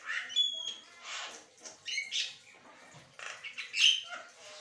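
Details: Asian pied starling chattering continuously, mixing clear whistled tones, scratchy rasps and a bright rising squeak in an uneven, busy sequence.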